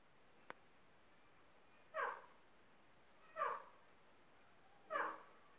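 Female grey francolin giving three short, nasal, slightly squealing calls about every one and a half seconds; otherwise quiet apart from one sharp click near the start.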